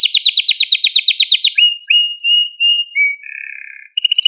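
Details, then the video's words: Canary singing in a training recording to stimulate young birds: a loud fast rolling trill opens, followed by a run of short whistled slides and a lower, steady buzzy tour, then a final pulsed trill. "Kanarya Sesi Ötüş Eğitimi | Kanarya Ötüşü eğitimi | Kanarya Kızıştırma ve Huylandırma"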